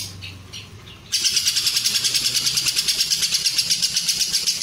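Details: Lovebird ngekek, long cililin-style filling intended to train competition lovebirds: after a second of faint chirps, a loud high chattering trill runs steadily, pulsing roughly two and a half times per second.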